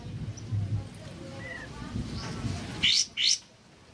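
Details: A caged sooty-headed bulbul on a rainy morning gives two bright, quick phrases near the end after a faint whistle, over the steady low patter of rain.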